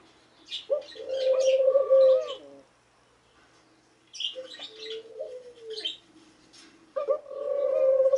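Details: Eurasian collared dove giving drawn-out, steady coos in three bursts separated by brief pauses, with other small birds chirping and twittering in the background.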